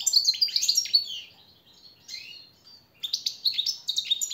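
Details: European goldfinch master song for teaching captive birds: quick descending chips and twittering notes in two bursts around a quieter gap, high-pitched and bright.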